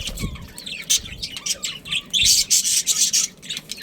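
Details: Budgerigar breeding pair, Australian parrots, starting with wavering chatter notes and then breaking into a run of harsh, buzzy squawks, with a soft thump early on.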